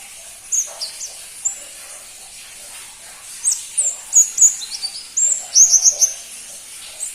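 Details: Rarely kept crimson-breasted flowerpecker, known as pentis pelangi: scattered tiny high ticks, then from mid-clip a busier chatter of sharp, down-slurred notes in quick clusters, with a faint hiss behind.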